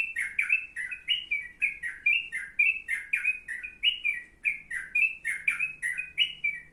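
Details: Yellow-vented bulbul, suggested as a song model for sooty-headed bulbuls, chattering steadily in rapid repeated bubbly chirps, roughly three per second, each note paired with a faint high tick, a low hum in the background.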